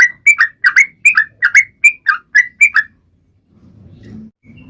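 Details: Bubbly, fast song of a Sooty-headed bulbul, meant to get other birds singing: about a dozen short liquid notes alternating high and low over three seconds, then the bird stops and a low murmur remains.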